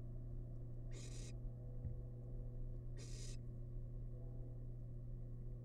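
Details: Two noisy, airy hisses about two seconds apart from a wild barn owl chick feeding on rabbit leftovers in a nest box, with a steady background hum and a faint click between them.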